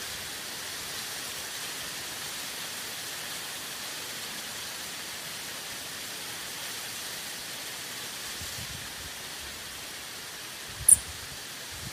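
Steady rain-like hiss throughout, with a single sharp click near the end and no animal sounds.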